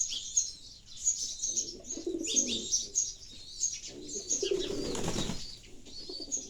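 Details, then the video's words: Low, rolling pigeon coos come in two spells, around two seconds and again from four to five and a half seconds, with a brief broad rushing burst, amid constant high sparrow chirps. "the sounds of pigeons"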